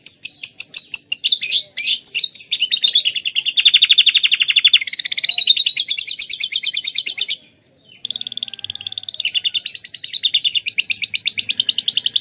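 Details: Kept canary from Klaten, Indonesia, delivering song stuffed with imitated lovebird phrases, used to tutor other songbirds: long stretches of fast rattling trills shifting between pitches, a brief silent break midway, then renewed rapid chattering.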